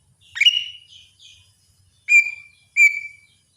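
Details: Three clear whistles from a lesser green leafbird in the morning. The first rises steeply with a softer trailing note, and the next two are flatter, held tones less than a second apart.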